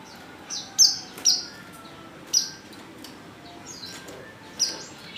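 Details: Female white-eye in heat calling a male: scattered short, high, flat piping notes, a few separate chirps spaced irregularly over several seconds against a quiet background.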